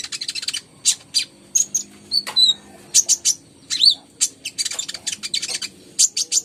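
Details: Konin song for prompting hesitant birds to sing. Clusters of fast, very high chips alternate with short slurred whistles, pausing briefly between bursts.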